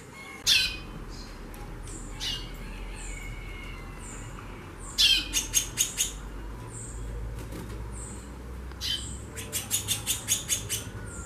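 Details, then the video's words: Female white-bellied seedeater singing a lot: repeated bursts of rapid, sharp, buzzy high chirps in quick series, separated by pauses holding thin high whistled notes, against a faint low hum. "FÊMEA DE CHORÃO XAXANDO MUITO"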